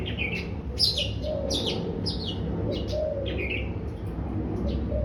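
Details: Daurian redstart giving brief, quick high chirps and thin downslurred notes at irregular intervals over about five seconds. A steady low hum and soft cooing fill the background.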